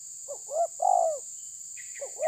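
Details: Spotted dove pressing a rival, cooing two phrases of short soft notes that lead into a long, loud coo sliding downward, with faint higher chirps near the end and a steady high-pitched hiss throughout.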